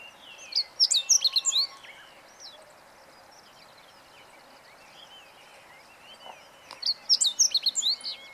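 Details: A meadow bunting sings, recorded 20 March 2015. Two loud, rapid phrases of high, sharp, varied notes come about six seconds apart, with quiet bird twittering and a steady hiss between them.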